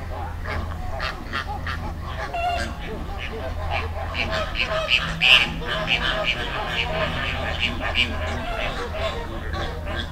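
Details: Flamingo flock in a river, Dominican Republic; busy overlapping honks and higher nasal notes from many birds, with one louder call near the middle and a low steady hum beneath.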